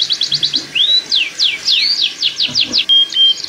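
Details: Mating canary singing, used to speed pairing and increase breeding readiness; quick high falling notes, a rising whistle, swooping slurs, and a short steady pure tone near the end.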